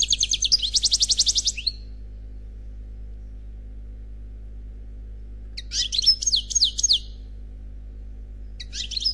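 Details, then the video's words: Unpaired European goldfinch singing in the Khalwi style: a buzzy, rapidly pulsing high trill, a long pause, then a jumbled twittering phrase and the start of another. "Chant Chardonneret Khalwi Célebataire"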